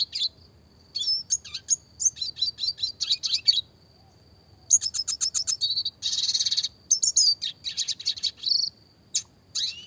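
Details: Classic red siskin singing in a clear voice, fast and tight roll tembak phrasing for training small songbirds: long strings of crisp high chirps in quick rhythm, a dense buzzy trill midway, and scattered sharp closing notes.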